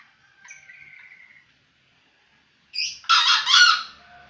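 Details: Crow of a green junglefowl aged seven months: a thin, faint drawn-out note, a pause, then a loud, harsh, two-to-three-part rasping burst lasting about a second, fading into quiet.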